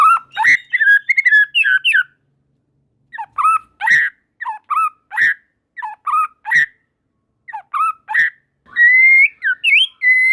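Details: White-rumped shama song, with other shamas quickly joining in: loud varied phrases of whistles, harsh chatters and sharp notes in bursts separated by short silences, ending on a long rising whistle.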